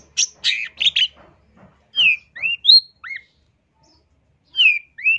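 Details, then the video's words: Long-tailed shrike master recording meant to train or lure birds: a quick cluster of scratchy chirps, then a pause and several clear slurred whistles, some falling and some rising, separated by short silences. "MASTERAN CENDET GACOR FULL ISIAN COCOK BUAT PANCINGAN / PIKAT"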